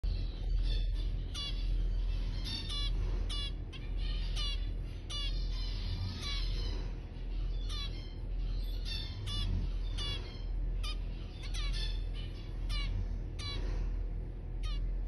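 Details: Two young zebra finch fledglings, a male and a female, in free flight, exploring: short, nasal, buzzy calls again and again, over a steady low hum.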